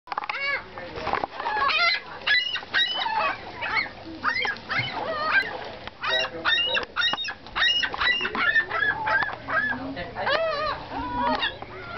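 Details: Seagulls fighting over food in Mackinaw City, Michigan: a crowded, overlapping chorus of harsh, wailing and yelping calls from several birds, some notes rising and falling, continuing without pause.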